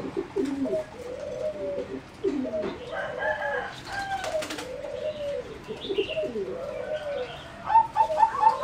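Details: Competition-bred zebra dove singing in an aviary: a long series of low, burbling coo phrases, each bending up then down, while other birds chirp and wings flutter, ending with a quick run of higher notes.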